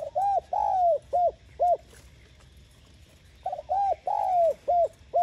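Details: Spotted dove coo meant to urge other doves to call: loud low hooting notes, a short coo then a long drawn, slightly falling coo followed by quick clipped coos, repeated after a brief pause.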